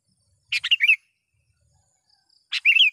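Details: Sooty-headed bulbul calling out to a rival bird, used as a lure for wild ones: two phrases two seconds apart, a rasping start then a run of fluty, bubbling whistles that drop and rise.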